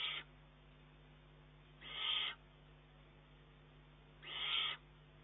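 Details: Begging juvenile Eurasian eagle-owl pressing its mother for food, 19 June 2011; three raspy, breathy screeches spaced a little over two seconds apart against a faint steady hum.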